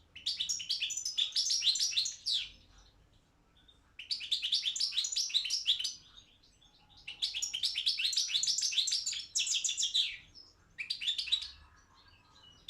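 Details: European goldfinch of the balcanica subspecies performing in a world championship song contest held online by a Serbian association; four long bursts of dense, rapid twittering and tinkling trills separated by short pauses.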